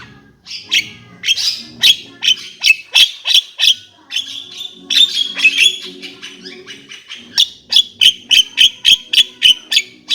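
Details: Javan myna singing: a fast run of loud, sharp, clicking and chattering notes, several per second, mixed with short whistled slurs and harsh buzzy phrases.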